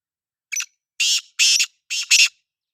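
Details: Black francolin calling: a harsh, grating phrase of five rasping notes over about two seconds, opening with a short note, then two longer buzzy ones and a quick closing double, against a silent background.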